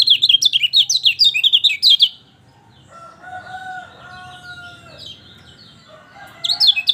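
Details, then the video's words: Lemon-bellied white-eye song played to stimulate a bird reluctant to sing: two seconds of rapid high twittering, then a long drawn-out crowing sound, with the twittering returning at the end. "Masteran Kecial Kuning Malas Bunyi | Dengar Ini Langsung Josss!!"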